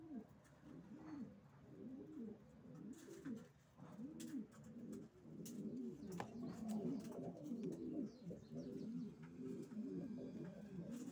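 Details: A loft of racing pigeons cooing together. Many low, arched coos overlap into a continuous murmur, with clicks and wing or foot noises scattered through.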